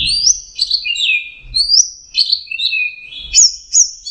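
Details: Melodious song of an orange-headed thrush, rich whistled phrases rising and falling, some slurred downward, others broken into quick warbling notes, delivered in a steady flowing stream with faint low background noise.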